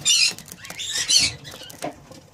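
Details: Breeding pair of budgerigars: two loud, harsh, high chattering bursts in quick succession, then softer scratchy chirps trailing away.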